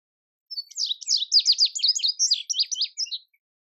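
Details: Indigo bunting male whistles a lively, high, clear song lasting nearly three seconds: quick sharp notes, many paired, sliding down then up, ending in a few spaced chips.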